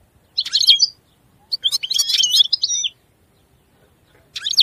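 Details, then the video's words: European goldfinch singing in three bursts of bright, jangling, twittering notes separated by short silences, high and fast with buzzy trills. "Chant Chardonneret تغريد طائر الحسون"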